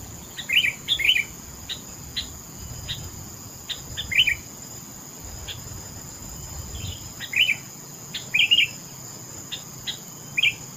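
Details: Sooty-headed bulbul (kutilang) calling with short, scattered chirpy whistles, sometimes in pairs, spread over ten seconds and mixed with sharp clicks.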